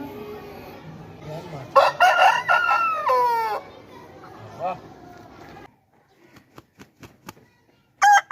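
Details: Aseel rooster delivering a drawn-out crow with a falling, wavering ending, followed by sharp clicks and the start of another crow.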